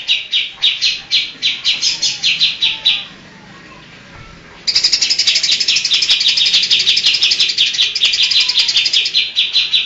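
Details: Greater green leafbird giving mimicked phrases of birds such as cililin and kapas tembak. Quick, high chirps are followed by about a second and a half of near silence, then a loud, sustained, rapid chattering trill.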